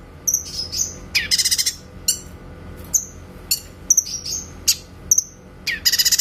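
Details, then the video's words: Grey-cheeked bulbul tutor song with crisp 'tembakan' notes, suited to training magpie-robins. Quick high whistled slurs and sharp chips are broken by rapid stuttering trills at the start and end. "MASTERAN BURUNG CUCAK KINOY SUARA TEMBAKAN JERNIH"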